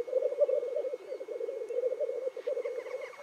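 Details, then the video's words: Black grouse lekking in the morning in the Cairngorms National Park while displaying, calling and fighting: a continuous low, bubbling, dove-like rookooing that rolls on without pause, with fainter calls behind. "Black Grouse Lekking"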